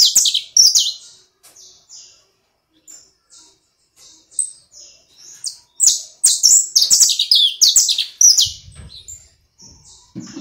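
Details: Domestic canary song: loud high bursts at the start, a stretch of soft spaced whistles, then a long rapid chain of bright rolling syllables, with a brief low thump near the end.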